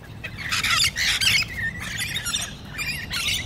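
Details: Two pairs of Australian Rainbow lorikeets fight for dominance on the ground, pecking and rolling onto the road, screeching harshly in rapid, overlapping, shrill grating bursts, several squawks per second, over low background rumble.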